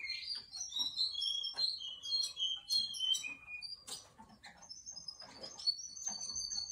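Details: A Russian canary's song runs through quick trilled chirps stepping down in pitch, a short break, then long level whistled notes held high and clear.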